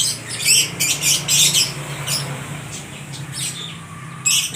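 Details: Lovebirds for sale at a bird market in Aceh Tamiang, Indonesia, answering one another: dense bursts of shrill, high chirps and squeaky twitters in quick clusters, pausing briefly before a final burst, over a low steady hum.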